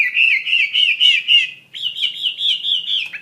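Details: Loud, fluty song from a Chinese hwamei singing actively: two unbroken runs of rapid looping whistles, the second pitched slightly higher after a brief break, ending in a falling note.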